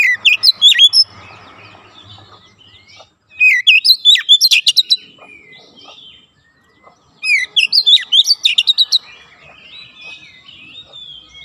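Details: Oriental magpie-robin singing fast, dense nembak rapat phrases as training for young birds: three tight bursts of sharp, varied high notes, spaced about three to four seconds apart, with quiet gaps between.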